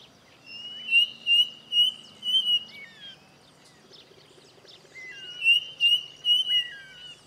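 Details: Striped cuckoo (saci) giving its second, different song: a clear, high, sustained whistled trill lasting about two seconds, then short falling whistles. The phrase repeats after a pause. Other small birds chirp faintly in the background.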